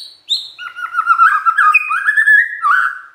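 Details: Magpie-robin singing to provoke rival magpie-robins to respond: a high opening whistle drops into a fast run of warbled, slurred notes climbing and falling, rich and varied, ending on a lower trill.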